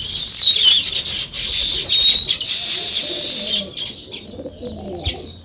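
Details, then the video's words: Sparrows chirping at dawn among nest-building weaver birds: loud, continuous high twittering with a few thin whistled notes, then quieter scattered chirps and wing flapping. "Sparrow Morning Chirping Sounds"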